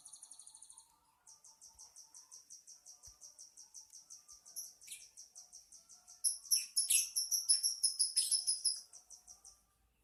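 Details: Lovebird chattering in a quiet room: a fast run of high, sharp chirps, about three per second, at first steady and soft, then louder and denser with squeaky notes in the last seconds.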